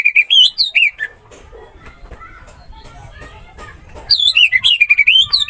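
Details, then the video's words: Orange-headed thrush song from a training recording meant for birds that have stopped singing: rich, varied whistled phrases sliding up and down, a quiet gap of about three seconds, then another burst of quick, looping warbles. "MP 3 MASTERAN ANIS MERAH MACET BUNYI"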